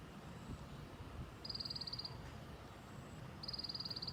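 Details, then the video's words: White-eye in 'tành tạch' style, two brief bursts of fast, high clicking notes about two seconds apart, against constant low-pitched background hum. "Tiếng chim sâu lác ( tành tạch )"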